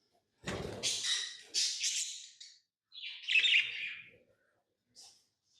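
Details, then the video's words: Pet lovebirds making rasping, buzzy high chirps in a few drawn-out bursts, one starting with a low thump, ending with a faint short note after a pause. "Love birds Sounds | lovebirds chirping sounds"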